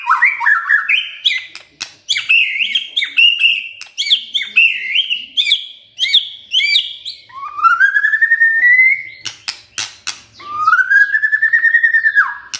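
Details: Emotion-stirring kretekan by a white-rumped shama: a dense, rapid chain of chattering whistled notes for about seven seconds, then two long, slowly rising whistles separated by clicks.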